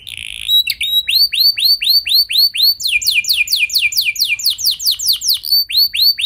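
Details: Canary song meant to coax other canaries into singing: a buzzy note, then repeated clear swooping whistles, a faster section of rapid falling notes, and a return to the swoops.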